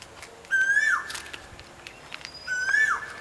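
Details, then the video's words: Two whistled koel notes, each swelling upward and then dropping, about two seconds apart against a steady background hiss. "SWEET VOICE OF THE KOEL"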